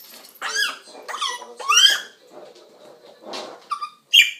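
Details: Indoor African grey parrot making assorted sounds: a run of squeaky, sliding whistled calls and chirps, some harsh, over quiet room noise.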